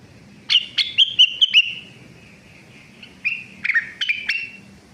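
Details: Young Sunda laughingthrush (rengganis) beginning to sing: bursts of bright clipped whistled notes around three kilohertz, a rapid run, a pause, then another quick cluster; quiet background.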